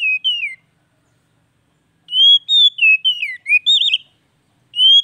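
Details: Oriental magpie-robin song used to prompt a bird that stopped singing: brief whistles, then a long varied phrase of slurred whistled notes with a warbled twist, ending on a lone rising whistle.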